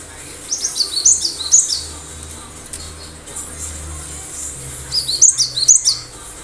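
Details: Cinereous tit singing vigorously with sharp bursts: two short clusters of high, thin, down-slurred notes, one near the start and one near the end, separated by a quiet gap over a low steady hum.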